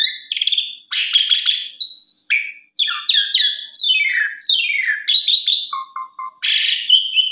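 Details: Asian pied starling pouring out a varied, lilting song of rattling buzzes, clear slurred whistles, rapid descending sweeps and a few low piping notes, phrases tumbling one after another without background noise.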